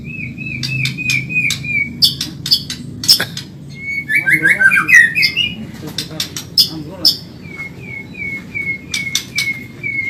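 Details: Medan white-rumped shama song used as training material for caged birds, delivered fast: a run of repeated whistled notes, then sharp high chips and a tumbling warbled phrase, ending with a series of short, evenly spaced whistles.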